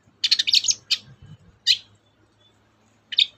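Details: A long-tailed shrike, heard as a lure for shrikes slow to sing, starts with a fast scratchy chatter, then gives two isolated harsh screech notes over a steady low background hum.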